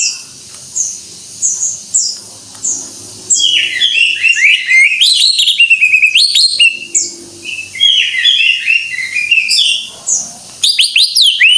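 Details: Gacor singing of a greater green leafbird (cucak ijo): soft high whistled notes at first, then a long, continuous rush of rich warbled and slurred phrases with harsh clicks mixed in.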